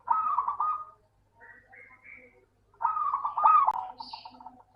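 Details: Local zebra dove song played as a lure for reluctant singers: two trilled coo phrases with softer, higher chirps between them and a faint high note near the end.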